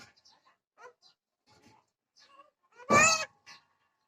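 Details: Myna speaking Odia, heard as scattered soft chirps and short whistled syllables, then one loud, harsh, harmonic rasping burst near the end followed by a brief chirp.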